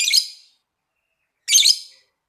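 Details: Lovebird making two short harsh high squawks roughly one and a half seconds apart, each a brief noisy burst fading quickly; quiet between them.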